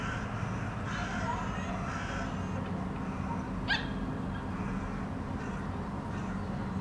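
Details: Several hooded crows stand on a rooftop in Helsinki, Finland, in August 2013, watching their surroundings; a few hoarse, raspy caws come in the first seconds over a steady low mechanical hum, then a single sharp click.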